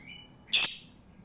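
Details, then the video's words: Single loud, harsh lovebird chirp, short and piercing, as a lure to stimulate a lazy lovebird to sing; a faint thin whistle comes just before it. "PANCINGAN UNTUK LOVEBIRD MALAS BUNYI"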